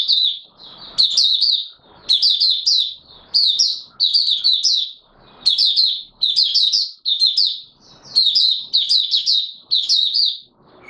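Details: White-eye known as Mata Puteh Raja, caged and not in full condition, opening song on 9 May 2022: steady sequence of high, sharp twittering bursts roughly every second, faint low background sounds.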